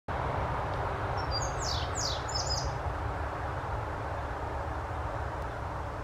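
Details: Indigo bunting in Ontario, June 2022, sings a brief, high, quick run of sharp downslurred notes, some paired, over a steady low rumble of traffic or wind.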